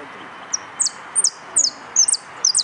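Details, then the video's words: Singing-competition yellow canary produces a quick run of bright, high, falling chirps, some doubled, coming about every third of a second over low background noise. "Participo en Amarillo Completo Concurso"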